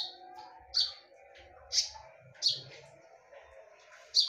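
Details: A few sharp, high, ringing notes from a konin, about a second apart, from a lure recording in full 'tembakan' style, with soft low noises between.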